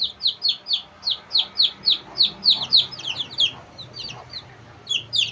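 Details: Two-day-old Shamo chicks peeping: rapid, high, downward-sliding notes at about four per second, with several chicks calling over one another. A short lull falls near the end before the peeps resume.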